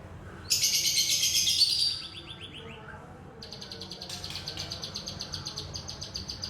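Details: Young wild-caught white-rumped shama from the forest: a loud, dense burst of high chattering notes, then a few descending slurred notes, followed by a fast, even series of high ticking pulses.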